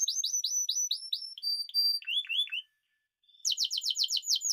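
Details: Spanish timbrado canary song in quick tours: repeated descending chirps, short level whistles, a lower rolling phrase, a pause, then fast bright chirps.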